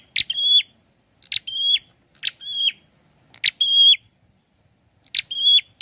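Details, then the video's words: A prinia repeats a two-part phrase about once a second: a buzzy chirp then a level, bright whistle that drops at the end, against near silence. "SUARANYA PLONG ABISS..GACORR || PRENJAK KEPALA MERAH||PRENJAK KLAWU"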